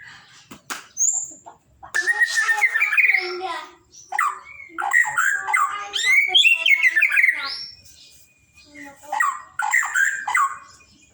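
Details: Song of a white-rumped shama, murai batu: long stretches of dense, fast warbling with looping whistles, trills and sharp high notes, broken by two short pauses.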